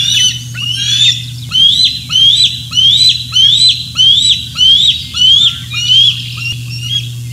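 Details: Bald eagle at Decorah North on the morning of 27 June 2024, among juveniles and fish deliveries; a rhythmic series of about ten short, rising whistled chirps, about two per second, with a steady low background hum.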